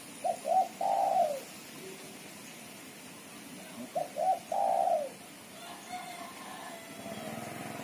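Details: Female spotted dove giving its lively chattering call, used as a lure: two soft cooing phrases, each a couple of short notes followed by a longer drawn-out coo, separated by about three seconds of quiet background.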